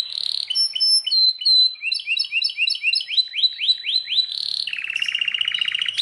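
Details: Belgian canary singing varied phrases: high pure whistles, a run of rising swept notes, then a fast buzzy rattling roll near the end.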